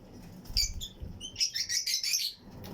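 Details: Fischer's and Lutino lovebirds in a breeding colony flight cage: a few separate high chirps, then a fast, shrill run of overlapping twittering notes lasting about a second.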